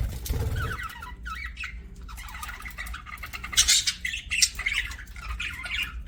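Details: Budgerigar chirping indoors, a pet bird giving rapid scratchy warbles and chattering squawks almost without pause, louder bursts near the middle, with a low thump at the start and faint room hum.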